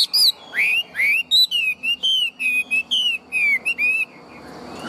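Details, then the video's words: Tame caged Chinese hwamei in full song: a rapid string of loud, pure whistles, rising and falling slurs, delivered in quick varied succession with brief gaps. "Chim họa mi thuần - Bộ To - Hót hét rất tốt"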